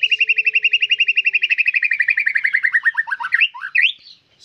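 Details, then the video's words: White-rumped shama producing a long, rapid trill of uniform repeated notes that gradually drops in pitch and ends in a few slurred whistles, with a faint low tone early on. "MURAI BATU GACORRR"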